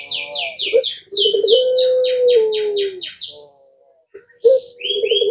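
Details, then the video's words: Collared dove of the puter pelung type, which draws answers from other birds: a long, level, low coo slurring downward, surrounded and partly overlapped by loud series of sharp, repeated, falling chirps from other birds, then a short coo again. "Jika Mendengar Suara Puter Pelung Ini"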